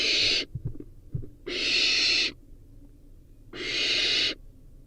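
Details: A barn owl nestling with a rodent meal repeats harsh, wheezing screeches lasting nearly a second, spaced about two seconds apart, soft clicks in the gaps.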